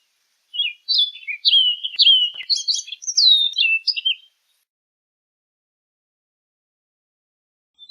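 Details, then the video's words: Orchard oriole sings a single rich phrase of fast, varied whistles, including downward-sliding slurs and brief chatters, lasting just under four seconds. Silence follows. "Orchard Oriole Bird Singing, Calling, Chirping, Sound - Calandria Castaña Canto - Icterus Spurius"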